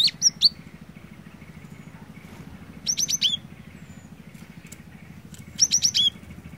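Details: Energetic cinereous tit song, used to prompt a quiet bird to sing: three bursts of high, clear whistled notes spaced about three seconds apart, each a quick run of four or five notes, above a constant low throbbing hum.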